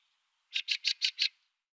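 A Fieldfare gives a harsh, rattling chatter of five quick 'chak' notes, about six per second, against a quiet background.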